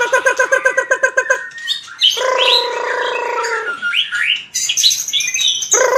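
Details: White-rumped shama fighting song for voice training: opens with rapid repeated harsh notes, then a long nasal buzzing note, followed by scattered high whistles and a final rasping burst.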